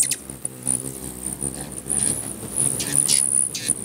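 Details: Territorial hummingbirds crowding a feeder in Bigfork, Montana give a near-continuous run of thin, high twittering chirps, with a low buzzing drone of many wingbeats underneath.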